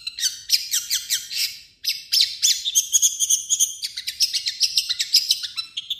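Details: Cendet, the long-tailed shrike, delivering a mixed song of its own notes and other birds' imitations: rapid, scratchy high chirps in dense runs, a brief break, then more varied twittering and a few whistled tones.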